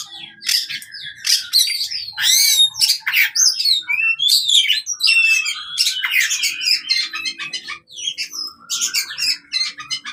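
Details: Oriental magpie-robin fighting song used to prompt silent birds to sing: energetic harsh chatters, buzzy bursts and sweet whistled notes, delivered in quick varied phrases over about ten seconds.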